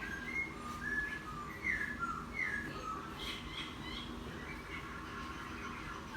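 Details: Caged laughingthrush, caught from the wild ten days earlier, singing chatter-style after a bath: scattered short descending whistles of varying pitch, irregularly spaced and fairly soft, over a low steady background hum.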